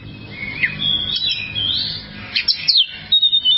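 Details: Oriental magpie-robin (kacer) training song for caged birds: a drawn-out whistled phrase with a rising slur, followed by a few quick sharp notes and a level whistle, over faint low background hum.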